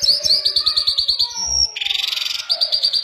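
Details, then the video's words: Mashadi jal, an Iranian lark, delivering rapid high chirps that run into a dense rattling trill before quick chirping notes return. "Mashadi larks lunda jal full Sining"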